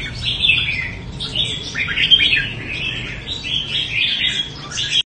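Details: Red-whiskered bulbul, Đại Quang area of Quảng Nam, Vietnam, singing repeated short whistled and chirped phrases in an uneven run of roughly three dozen bursts a minute, against a soft low hum.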